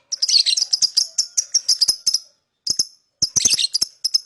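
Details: Rapid, continuous high chirping from a lovebird, a busy stream of shrill notes broken by a brief pause, then a shorter run and a dense chattering flurry.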